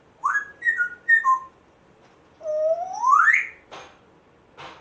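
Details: Rescued male African grey parrot kept as a pet, one month after rescue, making funny, weird sounds. Three short whistled notes, then one long whistle sweeping steeply upward. A few sharp clicking bursts follow in a quiet indoor room.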